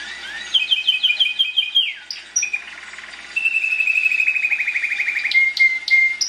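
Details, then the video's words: Singing Timbrado canary delivering high repeated notes, a quick downward slide, then a long even low rattling roll followed by brief sharp accents and short whistled notes. "CANARY SINGING BEST VIDEO TO TRAINING CANARIES"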